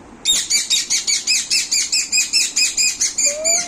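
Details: A young pet Indian ringneck (rose-ringed parakeet), angry and scolding, gives a rapid run of about fifteen harsh, high screeches, several per second, ending with a faint rising whistle.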